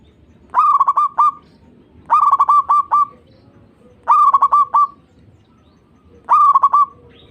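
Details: Zebra dove (perkutut) song used as a lure to stimulate other doves to sing: four loud phrases about every two seconds, each a rising opening coo followed by a quick stuttering run of clipped, mid-pitched notes and a trailing coo.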